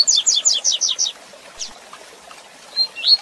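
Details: Rusty-collared seedeater in the Tui Tui Zel Zel style for training young or moulting birds: six fast, high, buzzy downslurred notes, a lone chip, then rising whistles that begin the next phrase.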